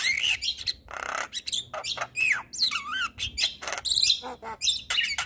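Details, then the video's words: Javan myna training song for lazy birds: varied whistled slurs, harsh rasps and looping warbled notes delivered in quick succession. "Pancingan Jalak Kebo Malas Bunyi"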